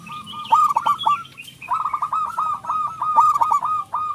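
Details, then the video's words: Zebra dove, local type, sings as a lure for other doves: a quick cluster of hooked coos, a pause, then a long rolling run of rapid cooing notes. "perkutut lokal gacor suara besar pancingan super ampuh 100 % di jamin ikut manggung"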